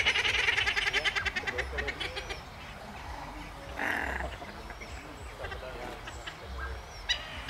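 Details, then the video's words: Captive Flying Steamer Ducks (Tachyeres patachonicus) in a private collection in Holland, 21 September 2024, give a fast, harsh, rattling run for about two seconds, then one short burst, over wind-like rumble. "Flying Steamer Ducks"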